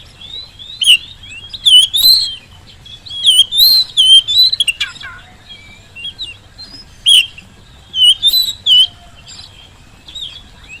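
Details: Oriental magpie-robin song played as a lure to get lazy magpie-robins, at home or at competitions, to answer quickly: loud whistled notes swooping around a high pitch, broken by sharp harsh bursts and quick descending slurs, in irregular phrases.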